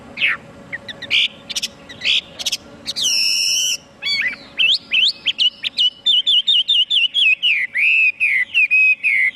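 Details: Chinese hwamei singing loudly and at length: a varied opening of sharp, clear whistles and one rich ringing phrase, then a long run of loud, down-slurred whistled notes repeated about twice a second, with short pauses between them.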